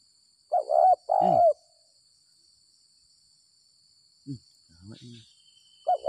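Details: Spotted dove caught after rain with a decoy, a bird with the stuttering gagap 6 mata call style. Two loud, hoarse coos come close together, followed by quiet male speech and a faint later coo.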